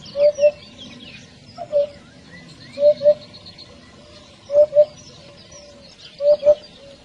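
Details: Eurasian hoopoe calling the flock with soft, evenly pitched hoots, mostly paired 'oop-oop' with one single note, five phrases about every one and a half seconds, faint bird chatter higher up.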